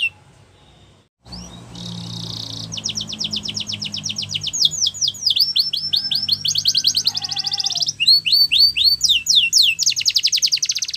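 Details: Yorkshire canary song played for training young canaries, following a short low hum: buzzy trills, rolling tours of falling notes and a dense rattle, with quick repeated downslurred whistles near the end.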